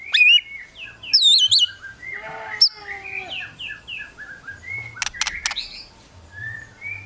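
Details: White-rumped shama singing kretekan to provoke competitors: loud high wavering whistles open, followed by a soft chatter of short slurred notes and a few sharp clicks.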